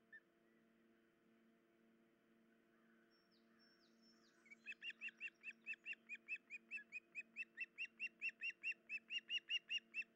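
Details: At an osprey nest with chicks, 10 July 2019 around 04:51, an osprey breaks into a fast run of sharp, high chirps, about four a second and growing louder, over a low electrical hum. The adults flew off alerting after something disturbed them, and the female has an injured leg.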